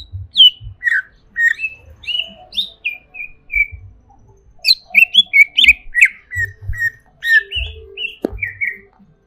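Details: Excited greater green leafbird pours out sharp whistled notes, downslurs and chattering bursts in two energetic spells separated by a brief lull, with occasional soft low knocks underneath.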